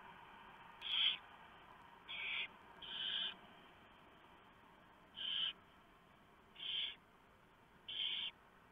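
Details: Nesting barn owls while the male delivers prey and the female shreds it for the owlets; brief rasping hisses, a quick pair then spaced singles about every one and a half seconds.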